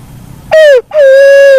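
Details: One black-naped fruit dove call: a brief note sliding downward, a short break, then a prolonged steady hoot.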